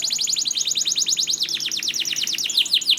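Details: Canary song meant to coax other canaries into singing: a fast continuous trill of repeated downward-sweeping notes, around three per second at first, then quickening, bright and high.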